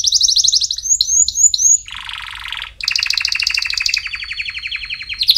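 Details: Song of a canary used for training chicks: quick high trill and short swooping notes, a low rattling roll, then a bright two-part trill ending in a sustained high whistle.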